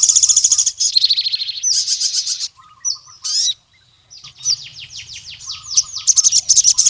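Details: Wild crimson sunbird calling a rival male: fast high rattling trills, a brief pause, a rising squeaky note, then a run of quick downslurred high chips and another rattling trill. Low murmurs sound faintly beneath.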